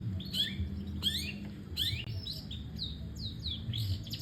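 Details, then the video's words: Long-tailed shrike singing without pause, a run of varied whistled notes and sharp rising and falling phrases between high and mid pitch, repeated in quick bursts over low background rumble. "tanpa jeda, cendet gacor"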